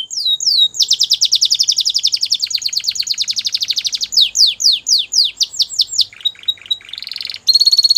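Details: White Belgian canary singing a continuous high song of fast repeated trills, rapid descending notes and buzzy rolling phrases, shifting pitch and tempo every second or so, with no other sounds.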